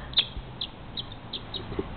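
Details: A single barn swallow in spring in Everett, Washington, chirps pre-dawn around 4:30 am while flying around a house, giving short, high chirps about every third of a second over faint low background noise.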